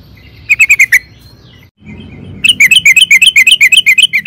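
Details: Energetic sooty-headed bulbul chatter meant to provoke other birds to reply: a brief burst of quick chirps, a pause with low rumbling background, then a fast, rolling run of bright repeated notes.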